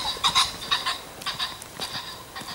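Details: Several pheasants in farm fields near a shoot call in rough, hoarse, nasal notes, short clucking bursts that come in uneven clusters over a couple of seconds, with faint background noise.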